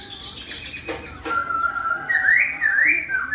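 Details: Laughingthrush in melodious song that gets others answering: two sharp clicks, then a level whistled note rising into lively looping, wavering whistles.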